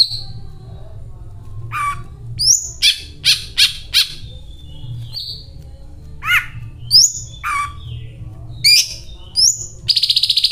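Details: Greater green leafbird song with learned cililin material, sparser here: scattered rising whistles, sharp chips and slurred falling notes with long pauses, ending in a fast pulsed buzzing rattle; low hum throughout.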